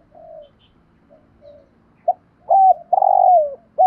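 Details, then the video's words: Spotted dove calling, a recording meant for training decoy birds to call along: faint low coos, then a short note and loud, clear, slightly falling cooing phrases with a hooked ending near the close. "chim cu gáy giọng hay, mở nghe giải trí, dùng tập mồi gáy theo"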